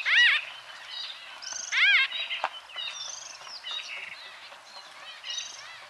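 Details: White-fronted bee-eaters, Merops bullockoides, in Kenya: chattering squeaky calls, several loud downslurred notes near the start and just before two seconds, then softer overlapping chirps from a group of birds.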